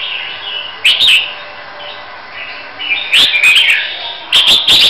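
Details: Red-whiskered bulbul from Huế, readied for competition, sings short bright warbling phrases separated by pauses, with clicks and steady hiss behind.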